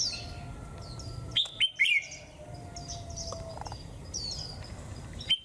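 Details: Japanese white-eye performing 'họa kép' song with 'líu thung' phrases on a cold 11 °C day: a short cluster of bright, high chirped whistles, then softer thin notes over a low background rumble.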